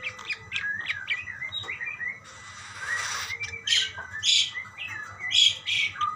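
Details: Budgerigars calling to one another with twittering chirps, harsh raspy bursts in between, and several short, squeaky high notes toward the end.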